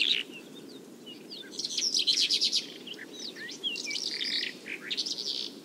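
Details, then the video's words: Bimaculated lark in Turkey singing a fast, jumbled stream of high chirps, trills and buzzy notes, run together without pauses over a low hum of background noise. "Boğmaklı Toygar, Bimaculated Lark"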